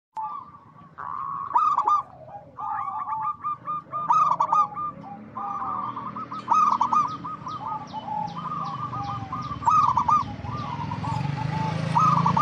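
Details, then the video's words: Local zebra dove in full voice, giving an inviting song meant to make other doves answer: bursts of rapid, stuttering, staccato cooing notes in a ringing mid pitch, phrases repeating every second or two over a low background rumble. "Perkutut Lokal Gacor Suara Mengundang"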